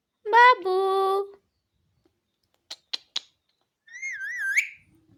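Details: Pet Alexandrine parakeet (pahadi parrot) talking, said to say words like "mummy", "mithu" and "bete": a voiced, speech-like phrase with strong harmonics, then three sharp clicks, then a wavering, whistled phrase that rises at the end, in a quiet indoor setting.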